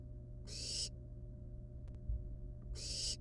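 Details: Barn owl nestlings, wild, in the nest playing with a still-living rat before killing and eating it; two noisy, rasping hisses over a constant low hum, with a faint knock between them.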